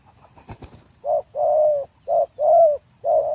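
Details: A captive spotted dove, a decoy bird just three days out of its breeding cage and not yet fully fit, gives low, hollow coos in an uneven short-long rhythm, five notes in about two seconds, with a faint tap or rustle just before.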